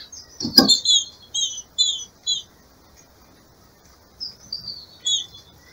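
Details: Female green-winged saltator kept by a breeder, breeding-season calls meant to stimulate a male: a quick run of high, clear doubled whistles, then a pause and a few more thin, descending notes, after one sharp knock.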